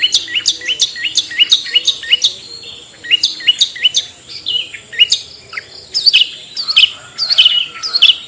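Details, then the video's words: Long-tailed shrike in ngetet style, played to coax reluctant caged birds into song. Quick runs of high, sharp chirps in bursts separated by short pauses, with notes sweeping upward and a faint steady high tone behind. "SUARA CENDET NGETET"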